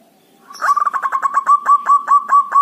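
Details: Zebra dove of local Javanese stock, dhuduk and kerot calls meant to lure other doves into calling: a fast string of about fourteen short, punchy tut notes at steady mid pitch, each with a slight upward flick.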